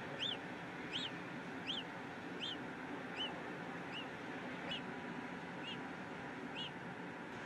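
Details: Peregrine falcon in Brussels, Belgium, on 8 April 2016 at 15:32, giving about ten harsh, arched notes, roughly one every second, over a steady rumble of city traffic.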